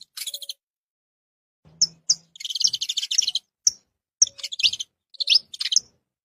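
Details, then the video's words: Saffron finches in nature: a stuttering high trill, then bursts of rapid buzzy chattering mixed with sharp chips and a rising upslurred note, several phrases packed into a few seconds. "Canário da Terra na natureza olha que incrível esses pássaros"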